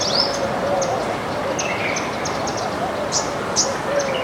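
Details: Backyard flock of baya weavers eating grains; sparse, thin high chirps come singly and in short pairs against a continuous low hiss of surrounding noise.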